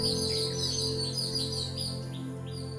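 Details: Babblers visiting a home garden in Kadawatha, Sri Lanka, in the early morning, arriving in flocks and hopping on the ground for food, squabbling noisily. Rapid, high chattering chirps repeated through the clip over soft background music.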